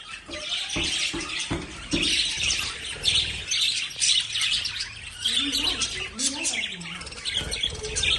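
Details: Busy lovebird chatter of rapid high chirps and squawky notes, overlapping steadily, with a few low clicks early on and lower tonal sounds partway through.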